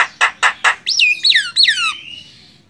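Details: Master recording of a Javan myna, jalak kebo, for training songbirds: three harsh squawks, then three loud looping whistles that rise and slide downward, trailing off.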